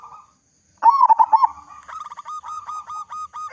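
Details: Zebra dove of local stock with a big voice, a lure for other doves: a strong quavering burst of pulsed coos followed by an even string of short, steady repeated notes.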